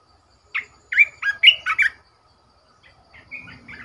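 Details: Decoy Red-whiskered bulbul singing a quick run of six loud, warbling whistled notes, then a softer, fading tail of short chirps. Faint background hum.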